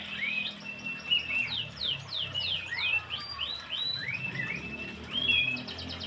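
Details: Horsfield's babbler in full, vigorous song: a rapid run of loud whistled notes, many sweeping up or down, strung into lively repeated phrases with brief trills, over a low background hum.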